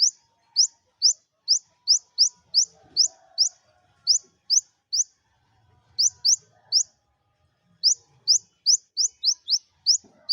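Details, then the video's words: Captive Olive-backed sunbird, singing to spur lazy birds into song, gives rapid clusters of piercing upslurred chips with gaps of about a second, with faint low rumbling behind. "Kolibri Ninja Buka Paruh Materi Sejalur Cocok Buat Pancingan Burung Malas Bunyi"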